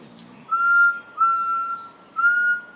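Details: Rufous-throated partridge (Arborophila rufogularis) calling: three clear, steady whistled notes at a single pitch, each lasting about half a second, separated by short gaps. Quiet background.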